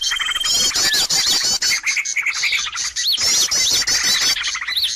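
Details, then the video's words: Bird lure used to attract birds: an opening thin steady whistle, then a thick chatter of high twitters and arched whistled notes, easing briefly before rising again. "SUARA PIKAT BURUNG RIBUT"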